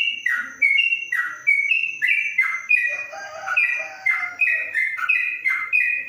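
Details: Yellow-vented bulbul kept in a covered cage, Kebumen, delivering 'ropelan panjang' song: a fast unbroken string of clear whistled phrases, each dropping in pitch then jumping back up, with a faint high tone and brief lower warbles mid-way.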